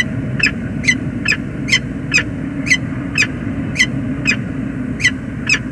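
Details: Wild male peregrine falcon calling at dawn on the James River Bridge, USA, 19 November 2021, returning after two days away: harsh, ringing notes repeated about twice a second over steady low traffic and wind rumble.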